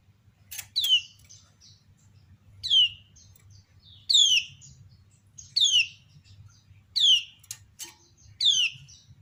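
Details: Kecial kuning female, a white-eye also called kecial lombok, making ciak calls that set others answering: six bright falling chirps at roughly one-and-a-half-second intervals, with a few clicks and quiet twittering.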